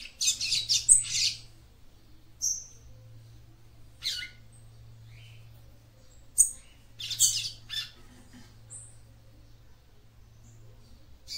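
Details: Female capped seedeater singing to stimulate the male: an opening cluster of dry high chirps, then sparse thin whistles and short buzzy bursts spread widely apart, with a low hum underneath.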